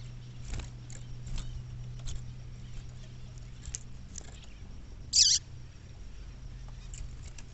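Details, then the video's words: A female Double-collared seedeater calling in the bush gives one short, high, downslurred call midway through, with faint ticking and a low steady hum in the background. "Femea De Papa Capim Chamando"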